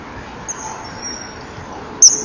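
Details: Common kingfisher at a nesting-wall camera, 15:44 on 15 December 2011, calling loudly while flying past at high speed: a faint thin high whistle, then one sharp piercing whistled note near the end over steady background hiss.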